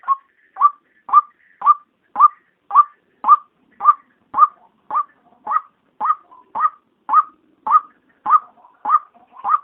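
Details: Female white-breasted waterhen calling by day, a sound used to lure the species: about eighteen hoarse 'kruak' notes in a steady, almost mechanical beat, roughly two per second, in a quiet setting.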